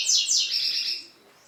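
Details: Double-collared seedeater singing to stimulate other males: a short burst of high, bright chirped notes sliding downward, fading after about one second.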